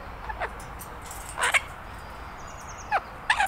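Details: Pet Illiger's macaw, a six-month-old bird, playing in a garden: a few short, harsh, rasping screeches, two louder ones near the middle and end, with quieter squawks between and a faint high whine in the background.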